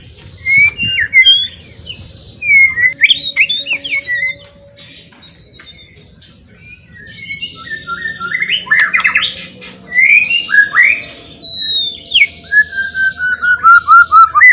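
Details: Loud provoking song of a white-rumped shama, or murai: squawky buzzy phrases and slurred whistles in bursts, a quiet stretch mid-way, then rapid repeated descending notes toward the end.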